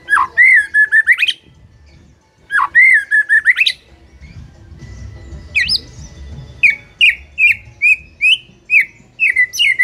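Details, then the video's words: White-rumped shama singing loudly and continuously: long rich whistles bending upward with trailing notes, a pause, then a run of short rising whistled phrases repeated about twice a second. "MUTAI BISU SONTAK NGAMUK PLUS GACOR KOAR KOAR"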